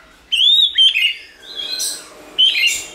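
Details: White-rumped shama song, played to provoke and train shamas to sing: a loud clear whistle sliding down, then a softer burry note and a final bright whistled phrase after a pause.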